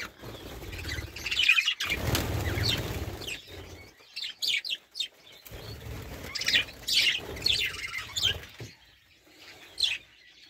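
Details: Budgerigars chattering with short, bright chirps and warbled notes in bursts, mixed with wing flapping and rustling noise in the first seconds.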